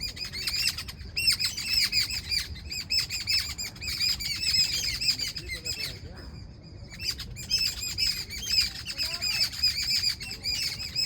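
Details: Morning chorus of birds: steady, rapid high chirping and twittering, with brief gaps, one longer pause partway through, then busy chirping again.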